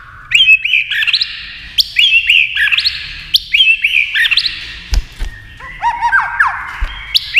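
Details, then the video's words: White-rumped shama, a tail-flicking bird singing in competition with a TV. Rich whistled phrases repeat roughly every second, each with sharp clicks and looping slurs, then change into a lower, varied sequence of slurred notes. "kích chòe lửa hót đấu với tivi cực căng lửa"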